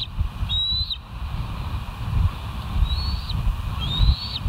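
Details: Bald eagles at the West End nest, live nature cam, 5 September 2023 at 07:11: thin high whistled notes, slightly rising, given three times a few seconds apart over a strong low rumble of wind or traffic.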